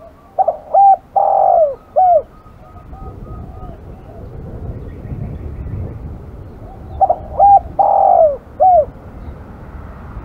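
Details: Spotted dove, called aggressive, repeats its cooing phrase twice about six seconds apart. Each phrase has quick short coos, a long burry note and a falling end note. A low rumble fills the gap between phrases.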